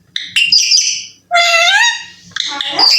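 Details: Talking baby Alexandrine parakeet, known for saying "I love you", giving three loud, strongly harmonic calls: a bright opening note, a long falling-then-flat drawl, and a closing burst of squawky syllables.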